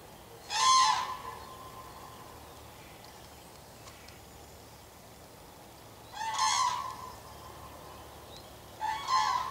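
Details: Common cranes in May give loud, rolling trumpeting calls in three separate bursts.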